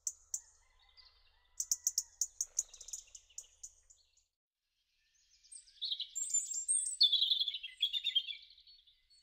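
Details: A European robin in a garden in March–April 2013 sings high, thin phrases: a brief run of sharp, rapid notes, a pause, then a longer liquid, tumbling warble; otherwise quiet.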